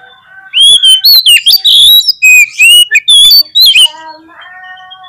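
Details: Lure song of a white-rumped shama for prompting song: a burst of loud, clear whistled phrases with rising and falling slurs and rapid chips, ending in a softer, steady harmonic tone.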